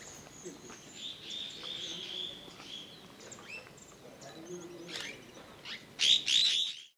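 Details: Slaty-headed parakeet at Pangot, India, in November 2023, giving thin, shrill squeaky notes, faint at first, then a louder burst of two sharp rising calls near the end, with other soft chirps behind.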